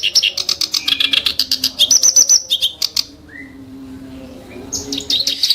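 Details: Clamorous reed warbler giving sharp, rough song bursts: fast rattling notes about four per second for three seconds, a faint low whistle during a pause, then more scratchy notes.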